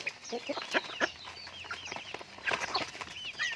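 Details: Raised pet chickens make sharp, high chirping peeps in bursts, mixed with louder knocking and scratching thumps, the calls bunching at the start and again after a short quieter gap.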